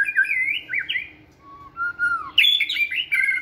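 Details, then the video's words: White-rumped shama in a flight cage during fitness training, singing energetically: warbled whistles at the start, a pause, a low gliding whistle, then a louder burst of bright, rapidly changing notes. "Giọng chòe lửa hót rực rỡ đầy năng lượng"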